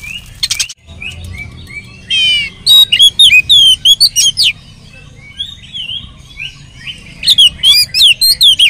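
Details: Lure song of an Oriental magpie-robin, rich and varied to provoke others into singing: a harsh buzzy burst, then quick clear whistles rising and falling, a pause, and another run of sharp chirps.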